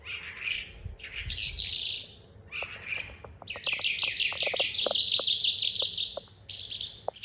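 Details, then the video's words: A young Calandra lark learning its rolling song pours out a fast, high, chattering song of rapid twitters and buzzy trills, with sharp clicks and tapping sounds in the background. "Burung Calandra Lark pastol"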